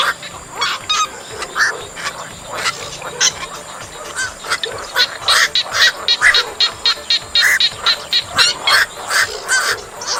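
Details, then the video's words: Black-crowned night heron calling, used to entice birds into nets; a rapid, irregular series of hoarse, clipped croaks that grows denser toward the end, roughly one every second. "Tiếng Vạc Lao Lưới Giăng"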